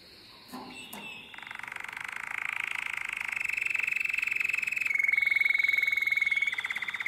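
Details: Canary singing in the nightingale-voiced style, Drama, Greece, 2017: brief introductory notes lead into a rapid, even rolling trill that swells in volume, then a clear steady whistled tone and a final trilled passage.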